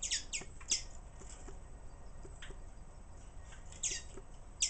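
Common waxbills give high, thin, sharp chips in small bursts, irregularly spaced, with faint softer clicks and ticks between them.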